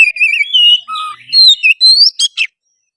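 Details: Oriental magpie-robin singing energetically, a song used to provoke another bird into singing, fighting and tail-spreading: a quick run of clear, varied whistled phrases, some warbling, some rising, one low, ending in two short harsh notes before silence.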